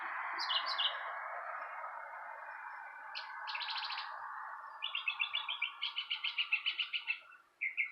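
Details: Birds chirping outside a porch: short bright notes early on, then rapid strings of sharp repeated chirps from about five seconds, over a steady broad band of background noise.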